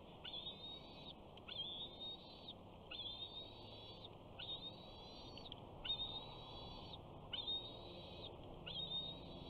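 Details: On the first day of summer at a Big Bear nest, a 68-day-old bald eagle chick calls while a parent approaches carrying fish: a steady series of seven thin, whistled whines, each about a second long, repeated roughly every 1.4 seconds.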